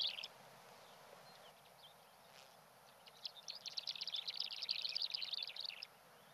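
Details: Black-bellied sandgrouse on Fuerteventura give a brief high note, then a dense burst of rapid, bubbling chatter lasting about three seconds. A low steady rumble of wind runs underneath.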